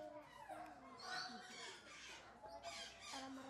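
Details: Illiger's (blue-winged) macaw (Primolius maracana) giving harsh, raspy squawks in irregular bursts over a few seconds, with faint voices or room sounds in the background.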